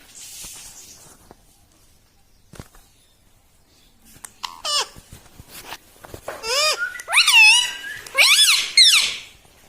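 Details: Talking pet parrot, said to say "mitthu mitthu" and "mummy"; faint clicks and rustles give way to loud harmonic, up-and-down speech-like calls in the second half.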